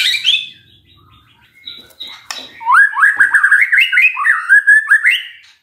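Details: Magpie-robin lure song to draw an answer from a silent bird: a brief high chirp and soft notes, then a fast string of loud rising whistles repeated in a rolling series.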